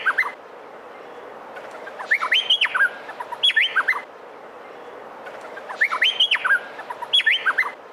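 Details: A male Meliphaga honeyeater sings loud bursts of slurred, looping whistles mixed with sharp chattering notes, each phrase returning about every three seconds over a faint steady hiss.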